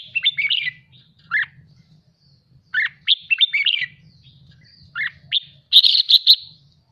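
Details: Red-whiskered bulbul roused during song training: clipped whistled phrases with sharp downward notes, gaps of a second or so between bursts, ending in a dense buzzy chatter, soft hum beneath.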